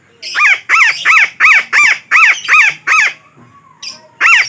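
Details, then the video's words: Harsh parakeet squawks used as a trapping lure. About eight loud, grating calls come evenly spaced roughly every half second, then a brief gap and one more squawk, over a faint low hum. "Suara Pemikat Burung Betet"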